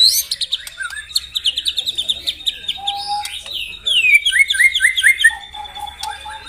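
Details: White-rumped shama in morning song that stirs rivals to sing and show their repertoire: rapid high warbled notes, a low whistle, then a series of descending slurred phrases and soft low whistles.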